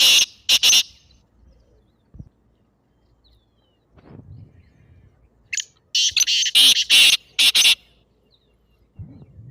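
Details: Black francolin call used to make a pet partridge call back: two rasping notes open, then quiet with soft rustling, then a loud run of five or six grating, buzzy notes in fast succession.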